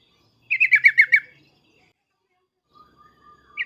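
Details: Sooty-headed bulbul giving excited 'cuk cuk' calls: six clear, falling chip notes in quick succession, then silence with a faint thin whistle and one more chip at the end.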